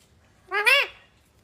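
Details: Pet talking parrot uttering a single short rising-then-falling harmonic vocalization indoors, a brief speech-like sound lasting under half a second against quiet room background.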